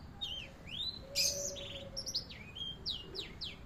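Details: Canary song as a tutor recording: sweeping whistles, a loud burst of buzzy chirps, then a string of rapid downward-slurred notes, with low background hum.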